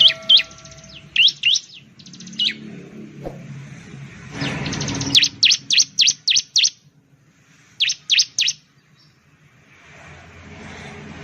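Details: Bar-winged prinia, known in Indonesia as ciblek, giving short bursts of loud, high, sharply slurred chirps in groups of two to six, separated by pauses, with a brief rushing noise in the middle.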